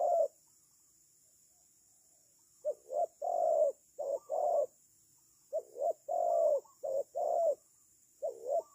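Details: Spotted dove used as a decoy bird for trapping, giving short bursts of low, mellow cooing notes in grouped phrases with pauses between them, in a quiet setting.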